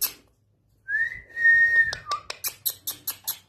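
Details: Indian ringneck parrot indoors, giving a long clear whistle that rises and levels off, then a short lower whistle, followed by a rapid series of crisp clicks.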